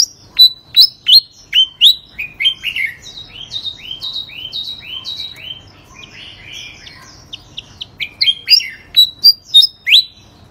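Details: Continuous singing from a contest bird that placed third: crisp, piercing downslurred whistles in quick bursts, a middle run of lower, rounded repeated chirps, then loud sharp notes again, with a soft hum behind.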